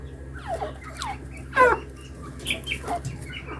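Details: Hand-tame partridges (teetar) kept as pets give short, sharp calls that sweep downward, scattered through the recording. The loudest note comes at about 1.6 seconds. Other notes come singly and in pairs, with a low steady hum behind them.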